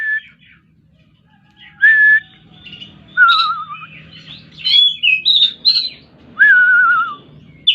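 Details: Oriental magpie-robin singing varied whistled phrases: a few clear, slurred notes dropping in pitch alternate with higher chirpy twitters. Pauses separate the phrases, over a faint low background hum.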